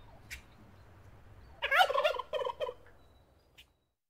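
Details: Turkey gobbling: after a quiet start with a faint click, a loud rapid burst of rattling, gurgling notes lasting about a second, followed by a few shorter trailing bursts, then quiet.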